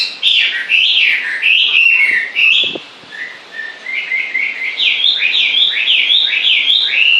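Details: Bird heard singing all the time: loud looping whistled phrases, a short quieter gap with a couple of low knocks, then a repeated pattern of sharp downslurred whistles, several in a row.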